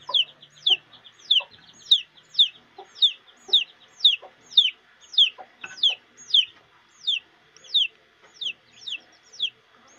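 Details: Chicks foraging with their mother hen keep up an almost continuous run of shrill, downward-sliding peeps, about sixteen in ten seconds, while quiet low clucks from the hen sit underneath.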